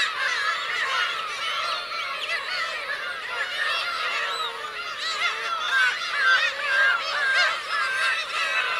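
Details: Black-tailed gulls, parents with chicks, on the Kurosaki coast of Teuri Island, Hokkaido, Japan, 17 June 2021: a dense colony chorus of overlapping nasal, mewing calls that rise and fall and overlap continuously, with steady surf-like background noise.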